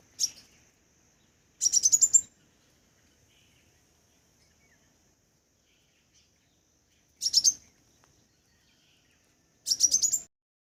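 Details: Crimson sunbird giving quick bursts of thin, high, rapidly repeated chirps: one brief note, then three rattling bursts that rise slightly toward their ends, separated by long silent gaps.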